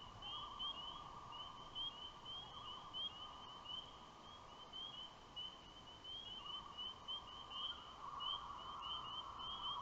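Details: Common loons calling on an evening in May (May 12) in rural loon country, as satellites pass overhead, give long, drawn-out wavering wails at mid pitch; a steady, high, shimmering trill, likely frogs or insects, runs underneath.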